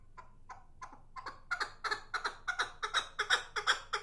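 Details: Chukar partridge giving a rhythmic run of chuck notes that start soft and sparse, then grow louder and faster, about three per second, each harsh and broad-toned. Quiet background.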